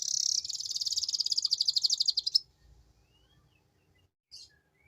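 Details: Canary giving a ngeriwik lure song, a sustained fast high trill of evenly pulsed notes lasting over two seconds and growing more distinct toward the end, followed by quiet and one short faint note.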